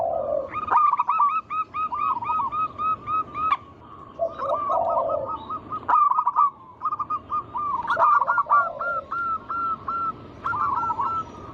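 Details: Lure song of local wild zebra doves meant to set other doves singing: many long series of quick, rolling, repeated coo notes with brief gaps, and deeper soft cooing phrases overlapping at times.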